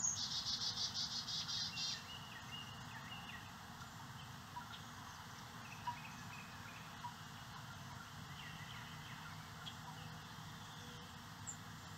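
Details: Carolina chickadees bringing insect eggs and larvae to their babies in St. Cloud, Osceola County; a quick series of high, buzzy, pulsed notes fills the first two seconds, followed by faint background hiss.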